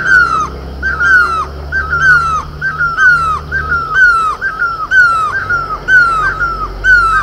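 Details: Himalayan barbet (great barbet) on horse chestnut flowers in Uttarakhand: rapid run of overlapping downslurred mewing notes, about one per second, sometimes doubled, with a low hum beneath in the first half.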